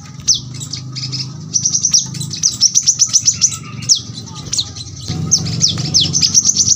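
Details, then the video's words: Brown-throated sunbird in a dense, very sharp 'rapid-fire' song style used to tutor birds at home: very high thin notes in quick trills, with sharp downslurred whistles scattered between, over a low steady hum. "kolibri kelapa | manggar | wiceh | tembakan rapat super tajam"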